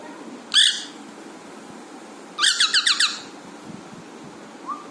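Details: Pet Alexandrine parrot indoors giving funny sounds: one short harsh squawk, a pause, then a quick run of about five rasping squawks, with a faint low squeak at the end over quiet room noise.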